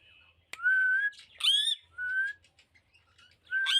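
A pet rose-ringed parakeet gives clear, slightly rising whistled notes mixed with a few harsh, buzzy squawks, in short bursts over a few seconds.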